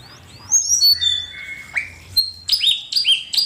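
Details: Master recording of Asian pied starling song for tutoring songbirds: a run of descending whistled slurs, a flat sustained whistle, then rhythmic bright chirps repeated about every half second.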